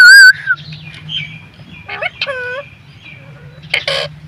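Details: A green ring-necked parrot opens with a piercing, clear whistle, then utters a few quieter hoarse, speech-like syllables, a wavering harmonic word and a final raspy burst.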